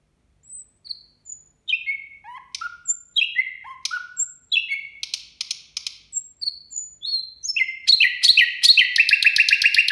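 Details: Nightingale singing at New Year, rich and continuous: high whistles, descending slurred notes, sharp clicks, then a loud rapid churring trill that speeds up and fills the final seconds.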